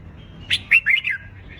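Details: Red-whiskered bulbul fighting song used in song training: one quick phrase of four bright notes, a sharp chirp followed by three rolling warbles that drop slightly in pitch, over a low hum.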